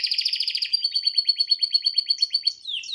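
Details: Male canary singing indoors while watching a screen: a rapid buzzy roll gives way to a steady whistled tone with evenly spaced clicking notes, ending in a short rising phrase.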